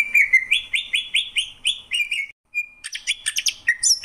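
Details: Greater green leafbird (cucak ijo) song: rapid run of bright warbled notes repeated several times a second, a brief pause, then a busier burst of chirps and high squeaks.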